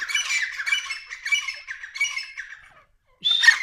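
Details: Grey francolins, a dakhni pair, giving rough rhythmic squawking phrases that fade out, a short pause, then another loud harsh burst.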